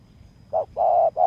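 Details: Spotted dove used in decoy luring at a bare-ground site: one short low hoot, then a long steady coo and a third coo cut off at the end, all mellow and mid-pitched with a quiet background.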